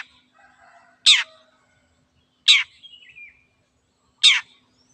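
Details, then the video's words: Long-tailed shrike, called cendet, in chatty song: three loud, harsh notes sweeping steeply downward, about one and a half seconds apart, with faint thin whistled trailing notes between them on a quiet background. "cendet gacor"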